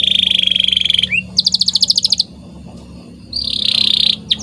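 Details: White canary in full training song: a bright sustained rattling trill, a short rising slur, a burst of fast clicking notes, a pause, then another high buzzy roll, over a soft low hum.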